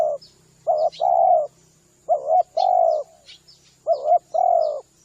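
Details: Spotted dove coos for luring spotted doves. A short two-note lead-in and then a long steady coo repeat three times, against scattered high chirps from other birds and a faint low hum.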